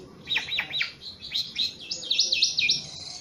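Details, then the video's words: Very tame Javan pied starling singing eagerly: sharp downward-sweeping whistles, then a run of rapid, looping high chirps and warbled notes over faint background hiss. "Jalak suren jawa super jinak dan gacor"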